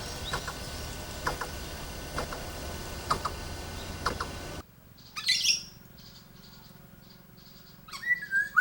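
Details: Male black-naped oriole in breeding season, singing a serenade to call a female as mating nears: rustling background noise gives way to a short bright burst and, near the end, a fluty, slurred whistle.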